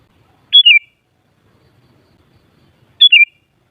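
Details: Sooty-headed bulbul, locally kutilang, sound used to provoke other kutilang into responsive singing: a pair of short, loud whistled phrases, high then dropping, separated by roughly two and a half seconds of quiet.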